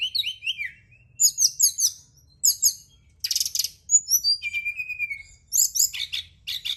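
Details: Brown-chested jungle flycatcher song for stimulating singing after dark: rapid high twittering phrases, a scratchy buzz, then a long smooth falling whistle and more sharp chirps, in a clean, quiet setting.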